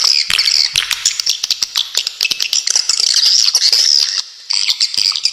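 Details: Swiftlet tutor track for songbirds, with sharp rapid bursts. Unbroken shrill, buzzy twittering with thin whistled slides, interspersed with rapid clicks, and a brief pause near the end before the chatter resumes.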